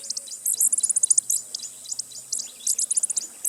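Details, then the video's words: Costa's hummingbird gives a rapid chatter of very high, sharp ticking chips in fast bursts, with brief gaps between clusters. "Canto do Beija-Flor da Costa"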